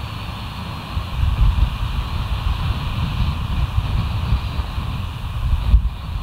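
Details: Steady low wind rumble and engine-like drone fill the recording, with no animal calls.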